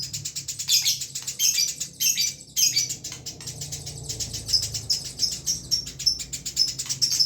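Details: Eurasian tree sparrow singing a nonstop rolling song, a rapid stream of high, bright chirps packed closely together, loudest in bursts early on, then an even run of quick twittering notes with a low background hum.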